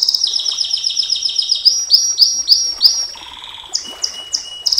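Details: Canary performing 'nembak panjang' song: quick repeated downslurred chirps about five per second, then a lower steady whistled tone and short high upslurs.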